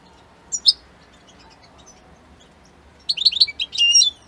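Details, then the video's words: Italian goldfinch offering two thin chirps, a pause, then an energetic run of high, rattling, twittered notes that ends in a slightly buzzy trill. "من أقوى تغاريد طائر الحسون الجميلة الحسون ايطاليا"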